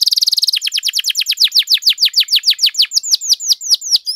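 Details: Canary singing strongly, a long-running song meant as a tutor and to stir other canaries to sing: a rapid buzzy trill gives way to a steady run of about twenty clear down-slurred whistles, slowing slightly toward the end.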